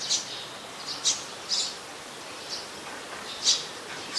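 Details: Olive-backed sunbird, a small bird of the mangrove forest at the Sirinart Rajini centre, uttering thin, high chips spaced unevenly about once per second, some louder than others, against low background hiss.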